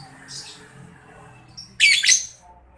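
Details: Balibu lovebird, a young bird whose voice is used to lure lovebirds into replying: a faint high chirp and brief whistle, then a loud double burst of grating, buzzy squawks.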